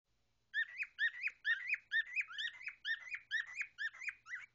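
A cockatiel gives a quick run of loud, clear whistled notes that rise and then dip.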